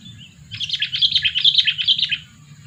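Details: Sooty-headed bulbul, a two-year-old bird used as a lure, giving a dense, bubbly run of quick chirping notes for under two seconds over a steady low hum.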